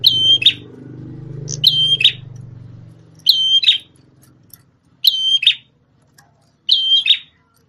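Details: Red-headed prinia kept as a former tutor bird for a magpie-robin, singing loud whistled phrases, each a steady high tone with ringing overtones closing in a harsh buzzy note, about every one and a half seconds over low background rumble.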